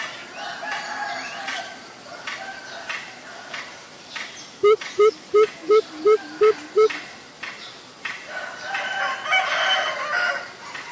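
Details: Greater Coucal (Centropus sinensis) in Ubon Ratchathani, Thailand, 21 April 2022: about eight deep, hollow, evenly spaced quick hoots, over rustling and faint chatter from other birds.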